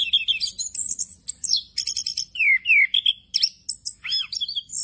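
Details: Orange-headed thrush in nonstop rolling song with many fill-in phrases, meant for training other birds: high rapid twitters, down-slurred whistles, buzzy bursts and sharp chirps tumbling together at a fast pace.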